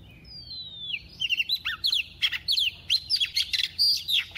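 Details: A female lure white-rumped shama sings a double-voiced song to excite males. A long falling whistle leads into a lively stream of clear, fluty notes and quick chips, repeated several times a second without pause.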